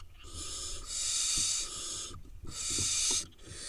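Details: Wild barn owl nestlings, eight in the nest, in Israel, giving long harsh rasping hisses, two drawn-out bursts of about a second each with a softer one between, over faint knocks.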